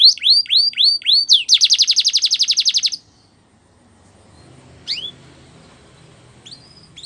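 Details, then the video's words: Canary song used for training: several swooping downslurred notes, then a dense loud buzzy trill for about a second and a half, followed by near silence with a couple of isolated chips. "Canary's Most Powerful Song For Training"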